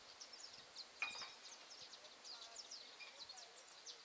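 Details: A young saffron finch learning to sing in a tree by Várzea das Flores, Betim, Brazil, gives faint, high, chirping notes in quick, uneven bursts, with soft background rustle and one sharp click.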